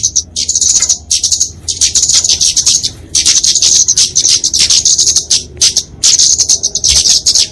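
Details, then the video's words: Kemade flowerpecker, genus Dicaeum, fighting song for tutoring and luring small birds; long buzzy high-pitched twittering phrases separated by short gaps, sharp and rapid chips within each run. "Kicauan Kemade Tarung Untuk Masteran&Pikatan Burung Kecil!"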